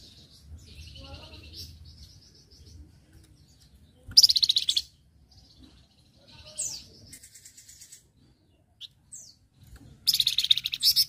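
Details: Flamboyan singing actively, recorded as a master song for other birds. Soft thin whistles and slurred chirps lead into loud, harsh, high bursts of fast repeated notes, with silent pauses between the phrases.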